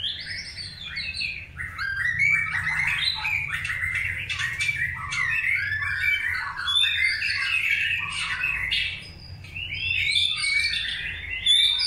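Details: Long-tailed white-rumped shama in pairing for breeding: long, dense outpouring of varied whistles, chatters and high trills, nearly unbroken, loud, with a faint low hum beneath.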